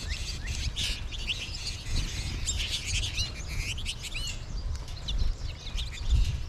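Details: Flock of American goldfinches calling, a continuous jumble of high twittering and short rising and falling chirps from many birds at once, over steady low-frequency background noise.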